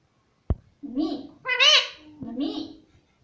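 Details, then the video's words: Pet parrot at home imitating the word "mummy": a short click, then three speech-like syllables, the middle one higher, harmonic and strained, the outer ones lower and rounder. "मम्मी मम्मी मम्मी बोलता तोता"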